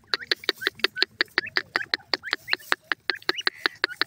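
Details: Grey francolin (teetar) chicks feeding in green grass give thin rising peeps among a fast regular series of sharp clicking notes, about six per second.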